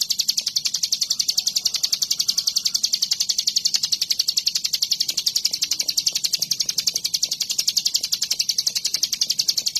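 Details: Energetic hill prinia calling nonstop as it dances around, giving a fast metronomic series of thin, high, scratchy pulses that never pause over ten seconds, over a faint low rumble.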